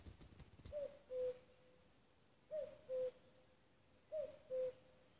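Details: Common cuckoo in Nuuksio, Finland, 6 May 2015, giving three evenly spaced cu-coo calls, each a short higher note dropping to a longer lower one, with faint rustling at the start.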